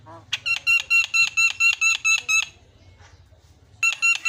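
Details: Lure song of a Javan myna, meant to coax a myna that has stopped singing: rapid buzzy, nasal notes stacked with harmonics, about four a second for two seconds, a brief pause, then the series restarts.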